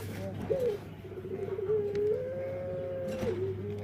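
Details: Burung puter (Barbary dove) whose song is unlike other doves: a short rising note, then a drawn-out smooth tone that climbs slightly and holds, over constant low hum.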